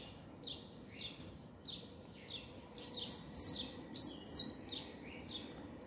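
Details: Saffron finch song of high twittering notes and downslurred chirps, building into a loud run of sharp, ringing phrases around the middle, then fading to softer chirps, with faint low background noise.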